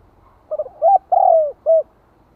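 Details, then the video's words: Decoy spotted dove in 'giọng hạp' voice, calling and urging to rouse wild doves: one clear phrase of two quick low coos, a rising hooted note, a long drawn descending coo, then a short final coo, over a quiet background. "Chim cu gáy kích mồi tập bổi - Tiếng Cu Gáy Giọng Hạp BổI [ GÁY GỌI + THÚC ] Kích Bổi Nhanh Nổi"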